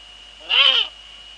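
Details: Female Eurasian eagle-owl at the nest, male nearby, Netherlands, evening of 2 February 2013 at 19:15; a single loud, grating, nasal call of under half a second over constant low hum.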